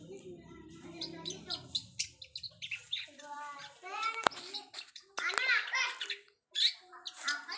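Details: Long-tailed shrike practising mimicked fill-in sounds with dense twittering and buzzy notes, a sharp click, and excited whistled chatter near the end.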